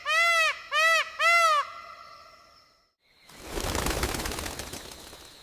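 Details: On a foggy morning in humid jungle, an Indian peafowl senses danger as a Bengal tiger stalks nearby and gives an alarm call: three loud, nasal, arching wails in quick succession, each rising then falling. A rushing, rustling noise follows.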